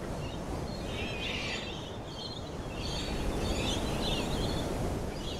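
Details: Laughing kookaburra cackling in rough, rapid bursts that rise and fall over a few seconds, set against constant low-pitched background noise.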